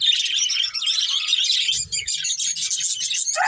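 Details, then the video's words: A flock of budgerigars eating green food keeps up an unbroken, dense high twitter of scratchy chirps and warbles, with a soft low rustle partway through. "Beautiful Budgies Enjoying Eating Green Food | Love Birds Chirping Sounds"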